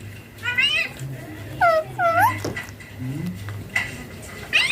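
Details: A pet talking ringneck parakeet (rose-ringed) repeating words like "papa", "bye bye" and "mommy" chatters in short, harmonic, speech-like syllables with rising and falling inflections, several bursts over a few seconds, amid a faint indoor hum.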